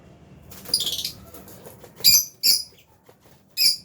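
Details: Lovebirds of albino and Fisher's types in an aviary: a rough chattering burst, then three loud shrill chirps at uneven intervals.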